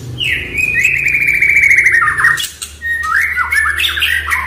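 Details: Oriental magpie-robin song meant to make a silent bird answer: harsh, scratchy warbled phrases running almost without a break, slurring downward in places, over a steady low hum.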